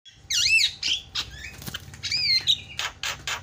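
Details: Javan myna calling, a sound used to provoke other mynas into calling: curving whistled notes that swoop up and down, mixed with short harsh buzzy bursts and a few rasping notes near the end.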